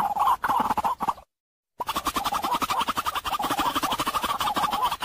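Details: Common moorhen call for bird trapping: a dense, fast chatter of harsh pulsed notes near one pitch, broken by a brief silent gap, then continuing steadily.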